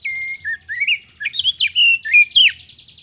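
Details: Magpie-robin song used as a lure to prompt other birds to respond: varied whistled phrases with rising and falling slurs and buzzy notes, delivered in quick bursts.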